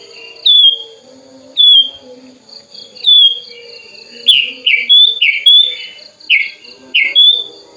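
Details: Sooty-headed bulbul raised from a chick, tame and opening its wings while calling a rival; three spaced falling whistles, then a faster series of bright, slurred chirps roughly every half second, over a constant faint background hum.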